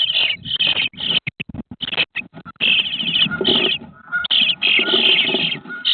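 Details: Day-18 bluebird nestlings beg in a dense, high, buzzy chorus of rapid chittering bursts, broken by brief pauses, with faint rustling underneath.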